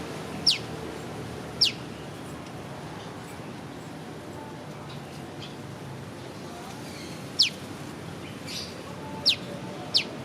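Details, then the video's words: Prenjak lumut, a prinia, recorded on a Leica V-Lux (Typ 114), calling sharp, high piw notes that drop quickly in pitch, scattered singly and in loose pairs over ten seconds against a steady faint hiss. "Burung prenjak lumut piw piw piw"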